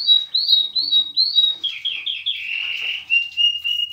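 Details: Canary x linnet hybrid giving four quick upslurred whistles followed by a buzzy rolling trill and steady whistled notes.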